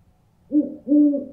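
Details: Owl sound meant to scare birds: two low hoots, a short one and then a longer, drawn-out one, steady in pitch over a faint low rumble.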